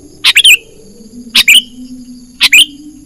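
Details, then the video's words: Sooty-headed bulbul call played to lure wild birds for trapping: three quick chirp bursts, each a rapid cluster of sharp high notes ending in a short downward slur, roughly one per second. "Suara pikat burung kutilang gacor"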